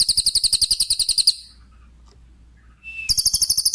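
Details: Lesser green leafbird song used as a model for songbirds that have finished moulting; rapid, very high buzzy trills of evenly spaced notes, a pause with a brief whistle, then the fast trill resumes.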